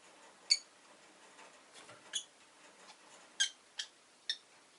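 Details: Rosy-faced lovebird indoors, calling with a series of five short, piercing squeaky chirps at irregular intervals of roughly half a second to a second, with faint softer chirps between.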